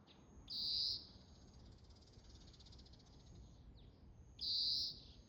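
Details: Oriental greenfinch calling. Two drawn-out, high, even-pitched nasal notes about four seconds apart, with a faint buzzy trill between them over a quiet outdoor background.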